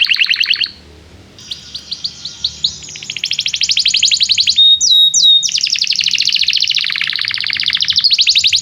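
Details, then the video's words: Energetic canary song aimed at teaching young canaries: a short trill, a pause, scattered chips building into long fast rolls and rattles, with a few ringing whistled notes in the middle, continuous and high-pitched. "Kenari gAcorr cuit cuit emosi, Pancingan untuk kenari Paud belajar bunyi"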